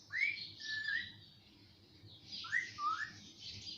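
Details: Pet parrot taught to say mummy and papa utters two short phrases, each a sharp rising whistle followed by a flatter tone, separated by a brief pause.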